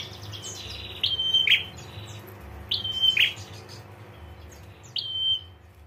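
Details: Female prinia giving the ngetir call said to make males answer: three calls about two seconds apart, each a short falling note, then a level high whistle, ending in a brief buzzy rasp, over a faint low hum.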